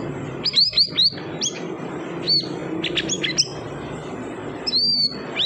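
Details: Siri-siri bird uttering clusters of quick high upslurred chirps, then scattered single notes and a final longer whistled note, against a faint low hum.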